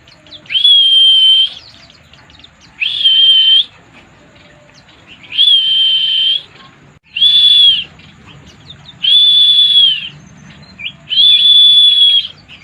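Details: Pleci, a white-eye, delivering 'mabuk' song: six long, level, high-pitched whistled notes, each lasting about a second, repeated every two seconds or so. Quiet pauses fall between them.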